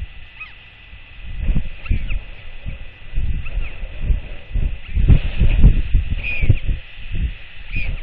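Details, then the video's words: Pre-dawn nest exchange of royal albatrosses, a startled chick and its returning mother clacking at one another in defence and reply. Dry, hollow bill rattles come in repeated bursts of about two per second, over heavy wind noise with faint high squeaks. "Royal Albatross ~ LGL Arrives In The Dark & Scares TF Awake! 😲 Both Clack At One Another!"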